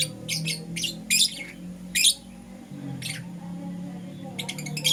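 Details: Lovebirds of Euwing Green Opaline and Lutino colour, morning: scattered short bursts of shrill high chirps separated by quiet gaps, over a low background hum.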